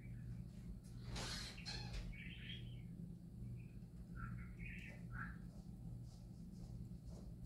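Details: Happy parakeets giving soft, scattered chirps and short warbling notes after a brief burst of rustling noise, with a steady low hum in the background.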